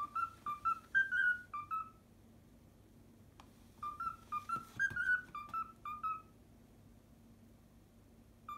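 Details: Domestic cockatiel whistling the learned Pythagora Switch opening theme: short bursts of clipped, tuneful whistles broken by pauses, with a soft room hum and a couple of faint clicks.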